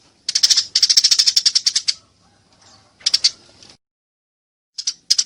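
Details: Eurasian tree sparrow in a fight, calling clearly: a long rapid run of harsh chirps, a shorter burst after a pause, then a few final chirps.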